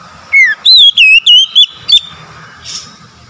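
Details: Oriental magpie-robin song intended to coax stressed, silent birds back into singing: a short falling whistle followed by five rapid, looping, bright whistles, then quiet hum.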